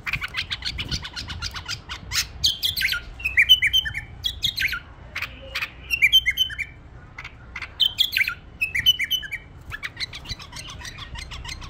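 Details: Pet bulbul delivering brief whistled phrases of falling and rising notes, spaced among steady fast clicking and scratchy tapping.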